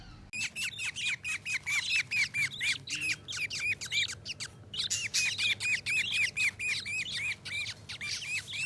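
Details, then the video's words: Happy budgies calling, a rapid run of sharp, bent chirps repeated about twice a second, almost without pause and with a brief gap in the middle, over soft background hiss. "Happy Budgies Making Sounds || Happy Budgie Sounds"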